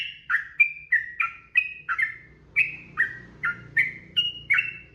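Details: Sooty-headed bulbul singing a long unbroken phrase meant to train kept birds: quick chain of clear whistled notes jumping between two pitches, each note brief and slightly falling, roughly two to three per second, with faint background hum.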